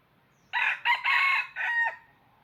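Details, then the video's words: Crowing of a decoy red junglefowl kept for trapping wild junglefowl: a four-part raspy call with an abrupt start, a short stutter, a long level middle section and a trailing last note, clear and close. "Tiếng Gà Rừng Mồi Gáy Cực Hay"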